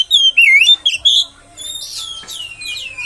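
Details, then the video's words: Oriental magpie-robin singing to provoke other magpie-robins: bright wavering whistles and slurred phrases in the first second, fading into softer, more distant whistling. "PANCINGAN KACER!! terbukti kacer ANDA AKAN NGAMUK!!!!"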